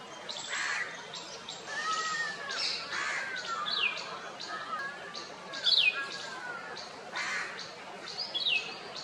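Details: Indian white-eye, one of a pair preening each other and feeding on fruit in a wild orange tree in India; thin, high, downslurred chirps come every couple of seconds over a steady wash of background noise.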